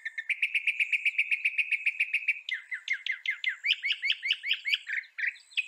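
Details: Singing northern mockingbird from North America: a fast, steady string of high chips, then a change to a run of loud downward-sweeping notes repeated over and over.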